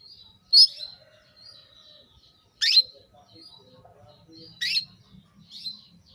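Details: Female canary calling a male, a call meant to bring him into breeding readiness: three sharp high chirps spaced about two seconds apart, each followed by a thin level whistle, in near silence.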